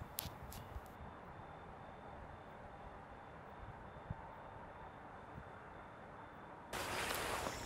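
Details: Quiet hiss with scattered clicks and a low hum, ending in a sudden burst of broadband static, with no animal calls.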